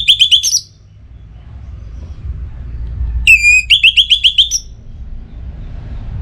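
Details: Orange-headed thrush, a kept bird in breeding condition, singing to call a rival: two bursts of rapid, high whistled notes with a trill-like stutter, separated by about three seconds of quiet with low background rumble.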